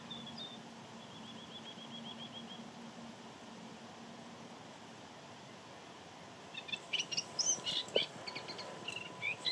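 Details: Moustached warbler, one of two singing males at the Jaroslavice Ponds bird area in late March or early April 2022, in rather unpleasant weather. After six seconds of steady background hiss with a faint repeated note series, a burst of high scratchy chattering notes begins.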